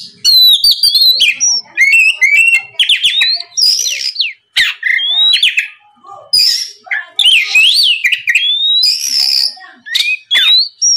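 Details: Oriental magpie-robin singing as a lure to draw replies from other magpie-robins: a loud, continuous, varied run of sweet whistles, slurred rising and falling notes and quick chirps, with short pauses between phrases.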